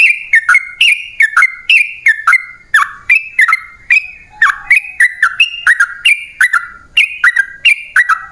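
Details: Sooty-headed bulbul giving a long, energetic run of song meant to make wild birds reply. Clear whistled notes that step down in pitch, each opening with a sharp click, repeat rapidly and without a break for over eight seconds.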